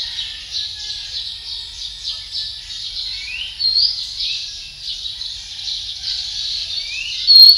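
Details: Song of a male Philippine magpie-robin: a fluid, unbroken stream of high whistles and chirps, with several quick rising slurred notes standing out.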